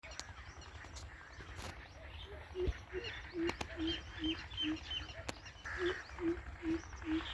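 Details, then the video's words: Greater coucal (Centropus sinensis) in the jungle giving deep, hollow hoots, two to three a second, in two even runs, with faint higher bird notes and a steady jungle hum behind. "Greater Coucal Centropus sinensisSound Effect"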